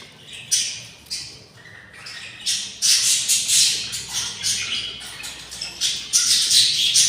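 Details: Six hungry budgerigar chicks in the nest on day 24 after hatching, giving harsh, hissing raspy begging calls in rising bursts that run together into a continuous squawking chorus.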